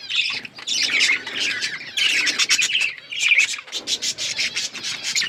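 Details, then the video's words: Budgies in breeding condition give a busy, scratchy chatter of rasping notes, short whistles and clicks, coming in bursts with brief dips between them, many birds seemingly calling at once. "Budgies chirping sounds budgies breeding"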